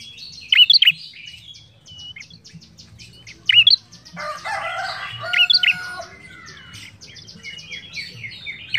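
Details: Ashy tailorbird in full, lively song, giving short loud bursts of sharp chipping notes near 0.6, 3.6 and 5.5 seconds, with many faint high twittering birds and a soft low rumble behind.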